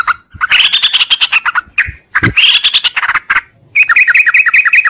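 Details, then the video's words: Sooty-headed bulbul giving a long 'ngropel' morning song: dense, buzzy chattering phrases that break into a quick string of repeated whistled notes, with some clicking noises mixed in. "suara trucuk ngropel panjang di pagi hari"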